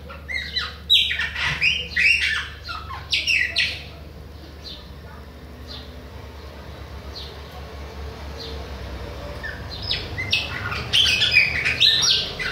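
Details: Bahian Chopi blackbird in continuous song, loud clusters of bright whistles and sharp slurred notes in quick sequences, then a quieter gap in the middle before another vigorous burst of phrases, with a low background hum.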